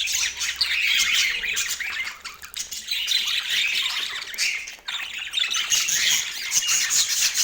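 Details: Pet parakeets eating breakfast on an autumn morning, giving continuous scratchy chirps and squawks that fade briefly around two and five seconds.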